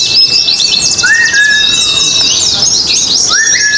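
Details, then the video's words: Oriental white-eye song at an Indonesian bird singing contest: fast, scratchy high-pitched twitters run without pause, while two separate rising whistles appear, each leveling into a flat held note. "pleci ABIRAWA dan R7 adu mekanik di gantangan"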